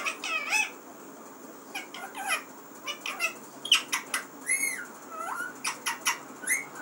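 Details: Pet talking parrot delivering quick squeaky, mimic-like syllables in a lively run, including curving whistled slides and clipped harsh notes, over faint room hiss.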